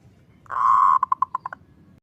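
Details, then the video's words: A zebra dove sings in the kerot ngutut kowar style, the sound used as a training and lure recording: half-second purring coo, then six quick, evenly spaced short notes trailing off. "SUARA PERKUTUT KEROT NGUTUT KOWAR"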